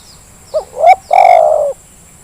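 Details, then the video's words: Spotted dove lure call, used to provoke lazy doves into calling: two short rising coos, then a long, steady, drawn-out purring coo, clear over a faint hiss. "Suara pancingan terkukur yang malas jadi bunyi"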